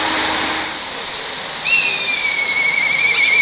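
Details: A black kite perched atop an electric pole amid rice fields gives one long, high whistle. It starts with a brief upward note, then drops and holds a slightly wavering tone for about two seconds over a steady background hiss.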